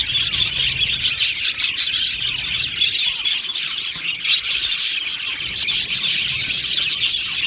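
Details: Aviary budgies in full chorus, quick bright chirps and warbled twitters piling over one another continuously from many birds.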